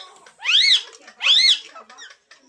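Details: Talking parrot: two harsh, rasping calls, each rising then falling in pitch, with rich overtones, about a second apart, followed by quieter scratchy sounds in a small room.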